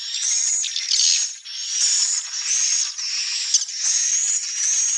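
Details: Swiftlet calls: sustained buzzy, high twittering bursts about a second long, repeated with brief gaps, a thin whistled tone running through each burst.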